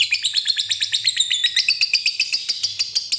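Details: Lovebird giving a long 'ngekek' trill used to coax young lovebirds into singing: harsh, rapid chattering notes repeated about eight times per second, steady and unbroken throughout, with no other sounds.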